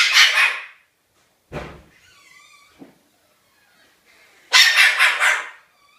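A cockatoo gives harsh, raspy dog-like barks: a loud burst, a short sharp one, then a double bark after a pause, with soft squeaky sounds between.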